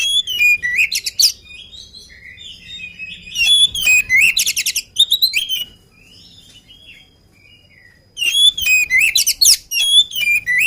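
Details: Agile oriental magpie-robin singing hard before its meal. Dense bursts of varied whistles, buzzy trills and chatter alternate with a long pause of near silence.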